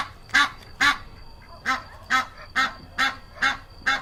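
A goose gives eight loud, nasal, brassy honks, about two each second, in an even run with a faint high steady tone underneath.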